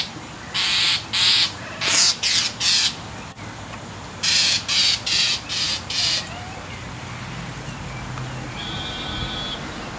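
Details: A mockingbird, angry and mobbing a cat trying to clean her wet tail, gives two rapid runs of five or six raspy chack calls each. A faint steady whistled tone follows near the end.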